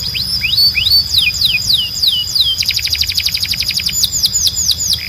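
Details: Belgian canary song meant for training birds: slurred swoops rising and falling in sequence, then a dense fast trill of clipped notes, ending in more descending sweeps, all loud and clear above a faint steady high whine.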